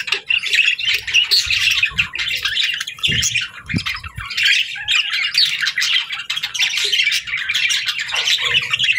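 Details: Several pet budgerigars chirping together, a dense chatter of warbled, scratchy notes and short squawks running continuously, with occasional low thumps in the background.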